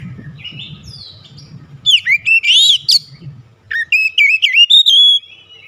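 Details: White-rumped shama in loud song used as a lure: clear rising and falling whistled phrases, quick warbled twists and sharp high notes in two bursts, with faint low rumble early on.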